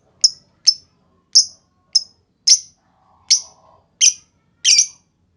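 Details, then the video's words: Lovebird used as a lure to make other lovebirds answer: eight sharp high chirps, spaced about every half second to second, with a faint low hum in the middle. "Pancingan Burung Lovebird Ngetik Bikin Lovebird Lain Ngekek Panjang!"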